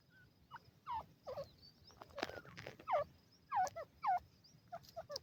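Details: Grey francolin (teetar) chicks feeding beside their mother: scattered, sharp, down-slurred cheeps in irregular bursts, with a few broader rasping notes and a low background hum.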